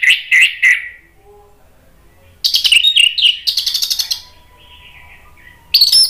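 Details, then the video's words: Orange-headed thrush song played to prompt other birds to answer: three short whistled notes, a pause, then a rapid run of bright chattering, whistling phrases, a faint thin tone, and a final high burst. "SUARA ANIS MERAH bikin cepat NYAUT ikut NGEPLONG jadi GACOR ¦ PANCINGAN AM TERAPI MACET"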